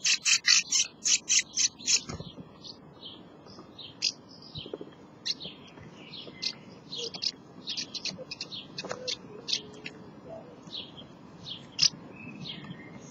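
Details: House martins at their nest, a rapid series of dry, high chirping twitters repeated about four times a second at first, then scattered buzzy chirps, with a faint low murmur beneath.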